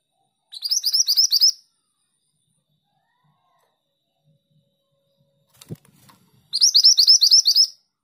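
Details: Female pied bushchat singing actively, two bursts of rapid high chirping, each about a second of roughly eight notes, separated by a long pause with a single soft knock.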